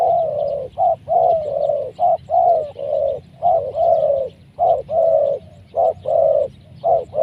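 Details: Large-bodied spotted dove prized for a big voice, cooing repeatedly in deep, mellow notes of uneven length, about a dozen in quick succession, with soft high twittering behind.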